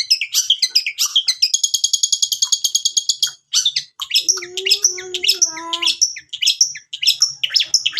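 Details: Long-tailed shrike singing, played as a lure to prompt a reluctant bird to sing. A fast, even trill of high notes gives way to varied chirps, a lower harmonic whistled phrase and sharp high notes.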